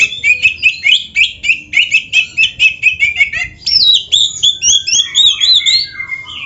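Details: Kacer, the Oriental magpie-robin, singing a long fast series of chirped notes at a steady beat, then switching to sweeping, looping whistles and warbles.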